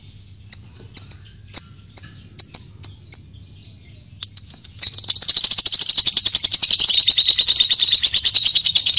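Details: Lovebird ngekek from a fighter-type bird, played to stir other lovebirds into singing: a few spaced sharp chirps, then from midway a dense, rapid, rattling chatter that keeps going to the end over a faint hum.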